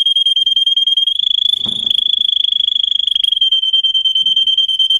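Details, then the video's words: Russian canary, a singing breed, song meant for training other canaries: a continuous high, fast-pulsed trill sustained throughout, with a soft low rustle in the middle. "Kanarya Sesi, Kanarya Ötüşü eğitimi, Corona Canary kanarya ötüşü"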